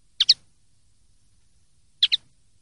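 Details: Common linnet, clean-style song recording from 2023/2024: two quick paired chirps, sharp and bright, the pairs nearly two seconds apart in an otherwise quiet background.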